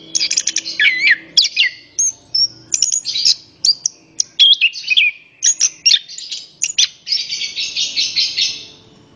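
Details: Orange-headed thrush song used for prompting other birds: varied whistled phrases and sharp chirps, ending in a sustained rapid twittering trill.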